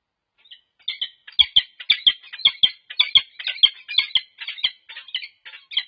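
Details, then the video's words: Peregrine falcon pair at the UC Berkeley nest site, 26 November 2023, bonding while staying alert to intruders. Harsh, grating chattered notes pour out about two per second, uneven in spacing, with no other sounds. "Annie & Lou pair-bond twice 💞 but stay on alert"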